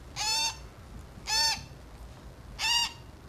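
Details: Hand-fed grey parrot chick, four days old, makes three short raspy squawks, each about a third of a second long, spaced roughly a second apart over a quiet background.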